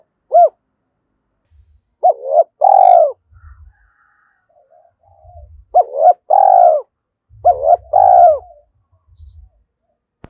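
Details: Spotted dove acting as a decoy to provoke wild birds to coo, in thổ sấm style. One hoot, then three cooing phrases of quick hoots and a drawn-out burred coo, with soft low thumps and knocks between them.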